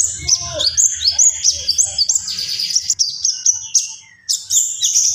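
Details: A common iora sings continuously, giving rapidly repeated rising whistled slurs, several in a row, then a chain of quick high notes, a brief pause, and a final burst of bright whistles.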